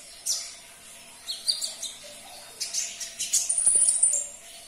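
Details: Sunbird song for prompting a caged bird: a single sharp chip, then quick bursts of high, thin twitters building into a longer trilled phrase with a shrill whistle.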